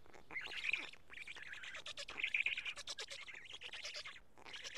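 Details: Feeding at a Karula black stork nest, 31 May 2017 at 12:47, chicks picking at two large fish; rough, hoarse squawky chattering, uneven and rising in intensity at times, almost unbroken.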